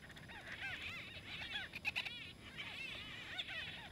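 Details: White-fronted bee-eaters in Kruger National Park, South Africa, fighting over nesting space. A dense chorus of short, arched, nasal chirps repeats rapidly from several birds, with a few sharper clicks standing out.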